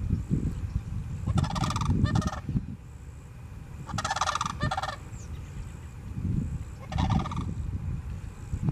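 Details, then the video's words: A sandhill crane pair at Harns Marsh, Lehigh Acres, Florida, gives loud, rolling, rattling bugles in three bursts a couple of seconds apart, over steady low wind rumble. "sandhill crane pair calling"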